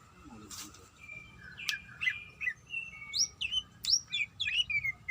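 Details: Greater green leafbird, a female in breeding condition calling a male, gives slurred whistles and bright upward-sweeping chirps over a steady hum and background hiss, after a quiet start.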